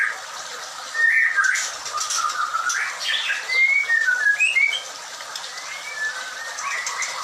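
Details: White-rumped shama held at a breeding farm: scattered whistles build into a fast string of short, sharp upslurred notes, then fade into softer warbles.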